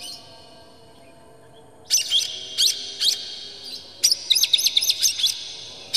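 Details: Oriental magpie-robin song used as a lure to make other birds agitated and spread their tails, with harsh, clear phrases. Two seconds of near silence, then bursts of sharp high whistles and chirps in short clusters.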